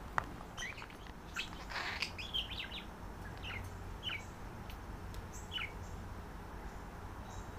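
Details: Two caged budgerigars, a visiting female and a male, calling to each other at bedtime during a flirtation; an early flurry of warbled chirps gives way to single falling tweets spaced about a second apart.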